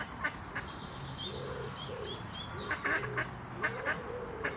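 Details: A grown common moorhen chick from the first clutch begs to its parent, which now has new chicks, with short, thin, high peeps repeated irregularly, mixed with low soft clucking notes.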